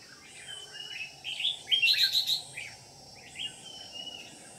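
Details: Red-whiskered bulbul used as a lure bird in trapping, singing competitively in Ché style: bursts of bright, warbled, slurred notes, loudest and densest in the middle, with quieter phrases before and after over a steady low background hiss.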